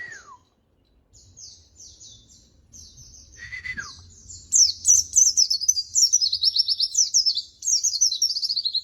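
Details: White-eye song used to tutor captive birds: a falling whistle, soft scattered high chirps, then a loud rapid burst of very high twittering and pulsed trills running to the end.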